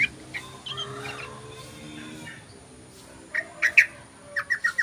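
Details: Yellow-vented bulbul lure call: after a quiet stretch of faint murmuring, a burst of short, sharp 'cruk' notes comes in two quick groups of three to four near the end.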